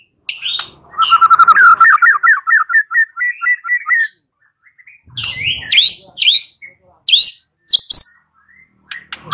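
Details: White-rumped shama song used as a lure, beginning with a fast rolling run of repeated notes, followed by a pause and loud, sharp upswept whistles spaced about half a second apart.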